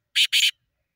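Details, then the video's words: Black francolin, known locally as kala teetar, giving two loud, harsh, grating notes in quick succession, the second slightly longer and split in the middle, against a silent background. "sindhi teetar ki awaz black teetar ki awaz kala teetar ki awaz desi teetar ki awaz blackfrancolin"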